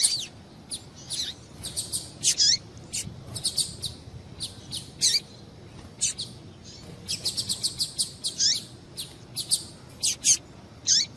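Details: Female double-collared seedeater calls used to stimulate males to sing: short high chirps, some with downward sweeps, in scattered bursts and quick runs over a faint steady background hiss.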